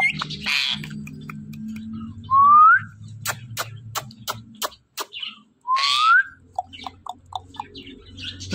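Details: Talking parrot kept as a pet, playing with her best friend, makes two identical rising whistles several seconds apart, separated by sharp clicks and short chirps over a low hum.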